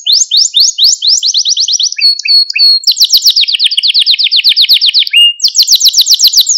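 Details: ['Song of a Malta canary played for training young canaries, made of fast repeated whistled notes about four per second, short clipped chirps, then a long rapid rolling trill and another quick series.']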